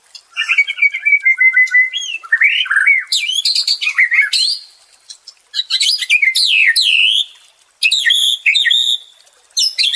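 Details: White-rumped shama song for restoring the mental state of stressed birds: a sustained whistle, then loud bursts of varied, sweeping high notes separated by short silences.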